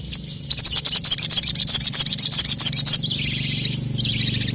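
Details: Crested jay (sogon), a hobbyist's songbird, calling excitedly to challenge rivals: a rapid, dry, high rattle of about four clicks a second for over two seconds. It is followed by a softer, wavering high trill with low background hum.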